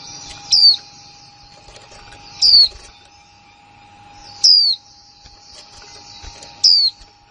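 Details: Newly acquired female white-eye repeating its plain 'kick' call. High, thin, descending whistles recur roughly every two seconds, with quiet continuous twittering and a low hum underneath.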